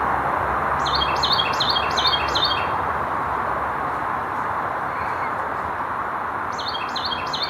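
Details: A Carolina Wren on a forest hiking trail gives a loud, rolling run of five quick ringing phrases, then starts the run again, over a steady rushing background.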